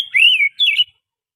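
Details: Oriental magpie-robin lure song from wild forest stock: two short slurred whistles near 2–4k, the first a long wavering note, the second rising then falling, on a silent background.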